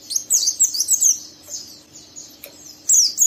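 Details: Young captive oriental white-eye giving rough ngeriwik song to provoke a second bird to join in; short, shrill bursts of squeaky twittering separated by brief quiet gaps.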